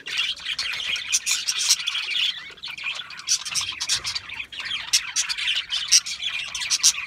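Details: Budgerigars twittering in busy high-pitched runs, with sharp chirps standing out against a steady warbling background.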